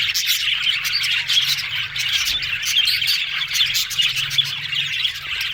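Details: Busy budgie flock talking over one another: continuous warbling chirps, scratchy trills and occasional thin whistles, even in volume from start to end.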